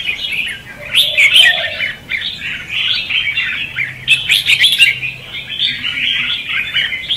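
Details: Dueling red-whiskered bulbul song of the "ché" and "xòe" kind, used to lure birds into traps. Quick liquid warbled phrases in bursts, louder chattering peaks around the first and fourth seconds, a faint low hum beneath.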